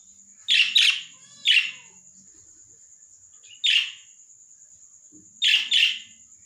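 Shrill, harsh chirps from a lovebird, mostly in quick pairs every second or two, over a steady thin high-pitched whine.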